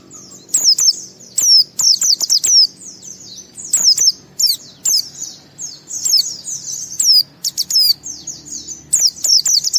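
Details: Caged white-eye singing in the gacor style, used as a lure to provoke other white-eyes into singing: rapid bursts of high, thin, downslurred chirps and twitters, delivered in dense phrases with brief gaps between them.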